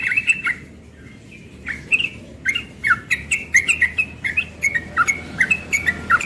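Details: Rapid ropel-style morning song from a young yellow-vented bulbul, with scattered chirps at first, then a dense string of crisp whistled notes with some harsh edges.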